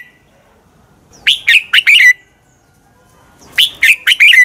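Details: Red-whiskered bulbul singing a fighting song used to train and stimulate birds: two lively phrases of four rapid, rolling whistled notes each, ending on a lower slurred note, separated by a quiet gap.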